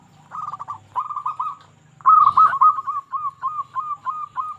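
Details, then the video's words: Local Indonesian zebra dove song used to stimulate quiet or stressed doves: short stuttered phrases, then a louder run of even, repeated coo notes, with a brief rustle in the middle. "Perkutut Lokal Gacor Suara Paling Ampuh Untuk Pancingan Burung Perkutut Agar Bunyi"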